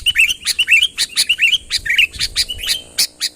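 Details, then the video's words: Sooty-headed bulbul calling to draw a rival closer: lively, chirpy whistled notes, short and rising, repeated rapidly in a bubbling sequence, with sharp clicking ticks between them. "suara burung kutilang ASLI tanpa isian, gacor memanggil lawan mendekat"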